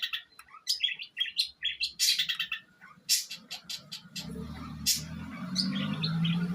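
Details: Young long-tailed shrike aged eight months, Jember, East Java, delivering mimicked sparrow, kuntilanak and tengkek buto material: quick high chirps and clicks for three seconds, then scattered notes over a rising low rumbling background.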